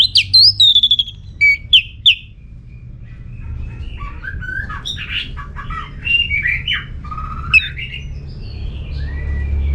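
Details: Orange-headed thrush singing to provoke answers from other birds: opening burst of sharp high slurred notes, followed by softer varied warbling phrases and a rising whistle, with steady low hum behind.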